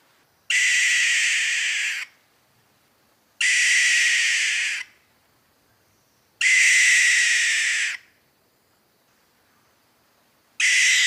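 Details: A barn owl gives harsh, hissing screeches, each about one and a half seconds long, repeated roughly every three seconds against a quiet background; these may be mating or alarm calls.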